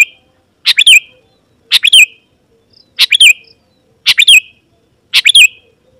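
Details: Sooty-headed bulbul song meant to draw wild birds that answer and approach: short bubbly three-note phrases with a rising twist, repeated about once a second, five times.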